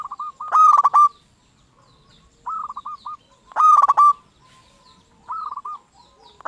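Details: Local zebra dove (perkutut lokal), a lively lure singer meant to make other zebra doves answer and sing; bursts of rapid, stuttering low coos with a rough edge, coming in short phrases roughly every one and a half seconds, with quiet pauses between.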